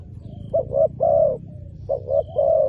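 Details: Close spotted dove luring wild birds, two quick coo phrases, each a short note followed by a longer sustained coo, with a faint high squeak in the background.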